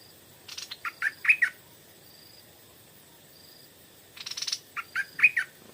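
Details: Stripe-throated bulbul lured by a decoy bird in the evening, giving two phrases: each a dry rasping burst followed by three or four liquid, slurred notes. A quiet gap between them holds faint high whistles.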